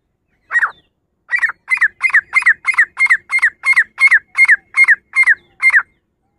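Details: Female grey francolin calling: one opening note, a short pause, then about eleven harsh, squawky notes in a steady series roughly every third of a second, each note sliding downward at the end. Nothing else is heard.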